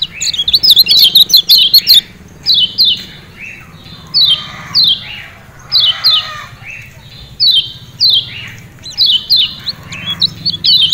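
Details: Lombok lemon-bellied white-eye, used as a master or lure bird, giving bright, high chattering phrases of quick downslurred notes in bursts roughly every second with short pauses between.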